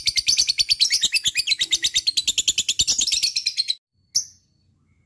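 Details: Lovebird in full ngekek, the chattering song used to draw other lovebirds into singing: a fast series of high, buzzy notes for nearly four seconds, then silence and one last chirp.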